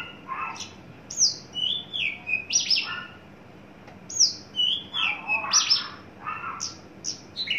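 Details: A mature adult male Horsfield's (Javan) bush lark, tame and just coming into breeding condition, gives bursts of high, sharp chirps and sliding, some buzzy, whistled notes in quick varied phrases about every second, over a faint hum.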